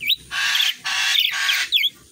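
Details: Tame, free-flying pet rainbow lorikeet, described as very vocal and as mumbling imitations of human speech, gives three loud, harsh, rasping screeches of about half a second each, separated by short upswept chirps.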